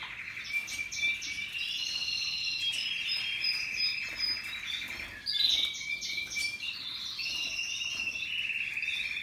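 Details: Russian yellow canaries and Timbrado canaries singing together, a dense, continuous stream of rolling trills and warbled phrases, with bright whistled notes rising above a steady rattling trill.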